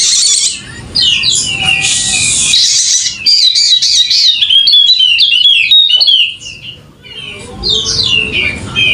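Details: Golden-headed Wallacean white-eye, endemic to Sumbawa, West Nusa Tenggara, in full song. Buzzy chatter opens, then a clear series of fast, descending whistled notes repeats rapidly. After a short quiet gap, more high twittering follows.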